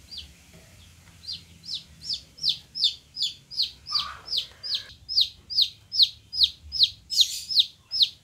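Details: Golden-coloured chicks peeping in a steady run of high, downward-sliding notes about two and a half per second, growing louder partway through, with a faint low hum underneath.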